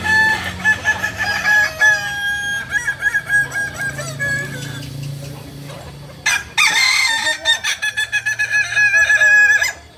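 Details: Kokok Balenggek roosters at a crowing practice session in Amko, Kota Solok: overlapping wavering crows with stepped, multi-part phrases, bursts of rapid choppy syllables near the end, faint voices and steady low rumble behind.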